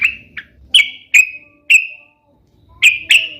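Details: Sooty-headed bulbul, a lively singing bird used to make pet bulbuls answer at once: short bright whistled notes, each sliding slightly downward, given singly and in pairs with brief pauses, over a quiet background.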